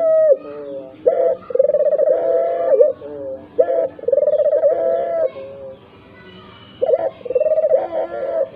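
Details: Repeated dove coos meant to trigger calling in other doves, even mute ones; each phrase opens with a quick note, then a long pulsing, purring coo, with about four phrases and a quiet gap near the end.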